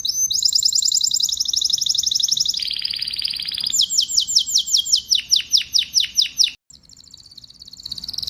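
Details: A canary sings a long, very fast high trill, drops into a lower buzzy roll, then gives a run of descending swept notes, pauses briefly and resumes trilling.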